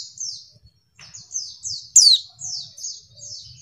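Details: Female white-eye lure call to make males sing: a series of high descending whistled notes, interrupted midway by one loud, sharp downward-sweeping chirp, then more soft falling notes.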